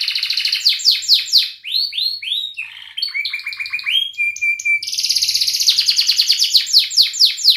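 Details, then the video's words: Canary singing ngerik, cuit cuit and ngerol phrases as a training model for young birds: loud repeated descending notes, rising whistled slurs, a low buzzy rattle, a flat tone, then a fast rolling trill. "Kenari gacor NGERIK Cuit Cuit Ngerol nembak - Pancingan kenari paud belajar bunyi"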